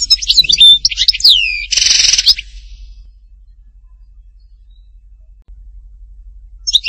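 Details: Goldfinch linked to Htatba, Tipaza: a short run of high, liquid twitters and swooping slurred whistles, followed by a loud harsh rasping burst, then silence.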